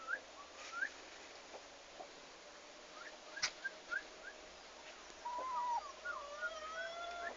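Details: A farm's first turkeys on their arrival day, 11 August 2015: sparse short rising peeps early on, then overlapping level and gently rising whistled tones from several birds toward the end.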